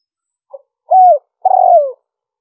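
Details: A spotted dove's 'liêu ròng' call, used to attract wild doves: a quick low note followed by two sustained, mellow coos, the last one drooping in pitch at the end, clean and without background sound.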